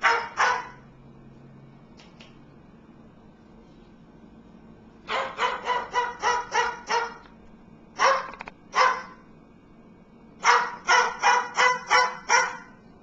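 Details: Pet cockatoo gives harsh, dog-like barks in quick bursts of four to six with short pauses, urged on as a good watchdog; a person laughs and talks at the start.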